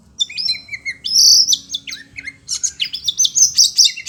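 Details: Caged Oriental magpie-robin (kacer), agitated on hearing other birds, pours out a rich, continuous whistled song with sustained high notes, descending slurs and a fast rippling finish.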